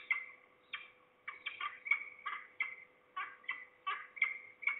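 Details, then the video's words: Harsh, grating falcon notes in uneven bursts of two to four, separated by brief gaps, from at least two birds at Trzebież, Poland, 2 September 2019, about 15:11, the closer one below the recordist. "We hear at least two falcons (closer, below)."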